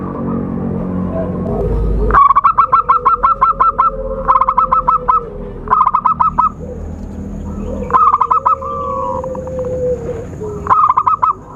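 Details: Zebra dove call played to lure birds for trapping: repeated bursts of fast, staccato cooing notes, about six phrases in under twelve seconds, over a faint steady lower tone and low rumble.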